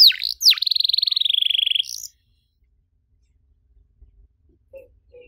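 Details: Canary song in the ornate 'cengkok mewah' style, used to train young canaries: two sharp downward sweeps, then a fast even buzzing trill held for over a second before the singing stops, leaving near silence with faint soft sounds.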